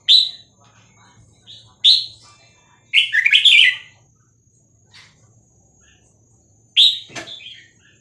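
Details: Vietnamese-type red-whiskered bulbul, a cage bird, singing a song played to teach young birds and excite them: short bubbly warbled phrases, the fourth longest and richest, separated by pauses of one to three seconds, with a faint low hum beneath.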